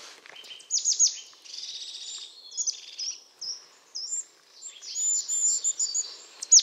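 European crested tit giving high, thin, rapid trilling phrases with sharp buzzy notes, repeated in quick bursts over a quiet background.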